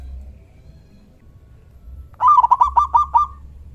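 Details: Local zebra dove with a strong 'kung' call used to set other doves calling: after a quiet low hum, one burst of about eight rapid, throaty cooing notes, slightly uneven in spacing and ending in a held tone.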